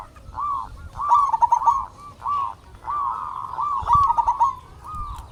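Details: Local zebra doves sing in a recording used as a lure and training master for quiet doves. Short, rounded coo phrases come in groups, two louder trilled passages stand out, and a soft thump is heard.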